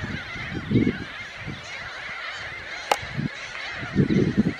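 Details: Glossy ibis giving a few short, low, hoarse grunts in two clusters, near the start and again toward the end, over a steady higher-pitched background chorus and one sharp click.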